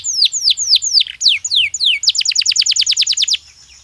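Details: Caged canary during breeding season: spaced downslurred whistles, then a rapid rolling trill of short falling notes that stops abruptly.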